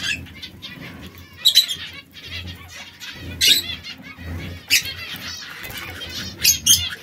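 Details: Three canaries in red, yellow and brown, kept as pets and at times squabbling. Bright, high chirps and buzzy notes sound in loose bursts roughly every second, with a faint low hum behind them.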